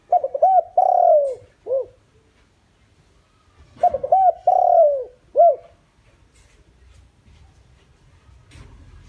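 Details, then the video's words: Spotted dove used as a decoy to draw in wild doves, giving two full cooing phrases about four seconds apart, each with short opening notes, a drawn-out falling coo and a clipped final note. "chim cu gáy mồi chuẩn gáy gọi kích bổi nhanh nổi hiệu quả"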